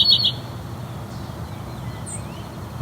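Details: A House Wren ticking in alarm at the recordist by a tall tree at a field edge in the tallgrass prairie of McMaster Forest, Hamilton, Ontario: a quick dry burst of ticks, then a thin high note over a low outdoor rumble.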